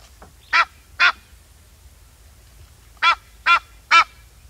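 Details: Egyptian goose calling: a faint short note, then two harsh honking quacks about half a second apart, a pause, and three more evenly spaced honks, each note broad and raspy over a quiet background.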